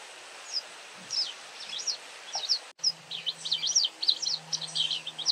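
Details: A very vocal White wagtail gives thin high chirps, scattered at first and then a rapid twittering run of sharp notes after a brief dropout; a faint low hum runs underneath.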